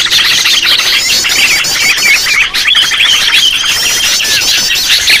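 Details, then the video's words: Noisy sooty-headed bulbul flock used as a bird-trapping lure: a dense, unbroken chorus of overlapping chattering and squealing notes mixed with short whistled slurs, all high-pitched and steady throughout with no pauses. "Suara pikat burung kutilang ribut terbaru"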